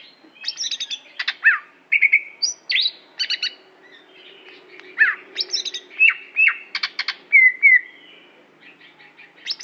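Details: Greater green leafbird from Aceh pours out a continuous lively song of rapid chattering bursts, high chips and short rising and falling whistles, with hardly a pause.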